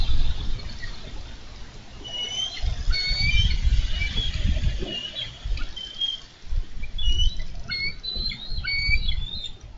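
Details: Captured by a Minnesota nest cam on 4 July 2013 as a bald eagle pair fight for a carp: bursts of high, squeaky whistled chips cluster early and again near the end, with low rumble and knocks between.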